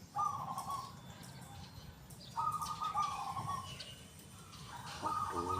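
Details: Active local zebra dove with a large, loud, clear 'kung' voice: three rippling coo phrases, each about a second long, spaced a couple of seconds apart. Faint chirps of other birds in the background.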